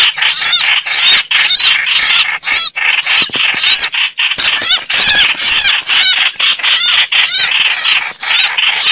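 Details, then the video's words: Chao chảo bird sound meant to draw birds into traps: continuous scratchy chattering in quick uneven bursts, about two per second, laced with squeaky rising-falling notes. "Tiếng Chim chao chảo"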